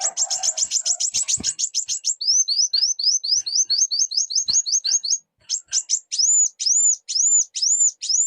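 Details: Sunbird (burung kuwul) singing and calling: a fast run of thin, high, downward-hooked chirps, then a string of rising-and-falling arched whistles, quickening and slowing, with a brief low hum at the start.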